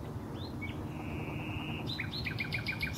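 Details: Common nightingale singing in Highnam Woods, Gloucestershire, on 20 May 2012: a long whistled tone, a rising sweep, then a fast run of repeated short notes, over a steady low rumble of background noise.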